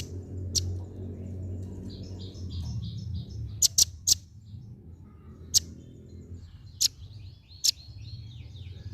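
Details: A female velvet-fronted nuthatch gives sharp, very high chip notes at irregular intervals, with a thin twittering between them, over a steady low rumble.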